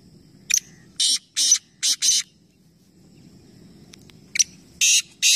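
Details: Black francolins, three competing together at Nawabshah, Pakistan, utter a harsh phrase of a click and four rasping notes, then after a quiet spell a second phrase starts with a click and two coarse bursts.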